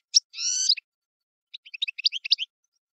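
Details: European goldfinch gives a sharp note and a drawn-out, nasal buzzy wheeze, followed by a rapid, tinkling chatter of short, high notes.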